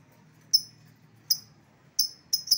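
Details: Lovebird lure call for calling back an escaped lovebird: four sharp, shrill, high chirps, spaced unevenly, with faint low background hum between them.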